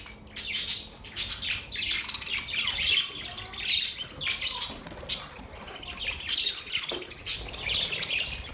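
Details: Budgerigars in song, called a mating call: continuous busy warbling mixing squeaky whistles, scratchy buzzes and quick chirps in uneven bursts throughout.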